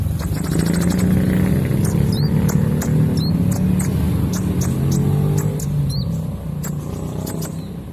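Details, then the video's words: Caged oriental magpie-robins singing in a competition, set with a female in a colony arrangement: sharp upslurred whistles and rapid clicking chirps repeated quickly, over a steady low hum and background chatter. "Adu KONIN ngerik sambil ngobra"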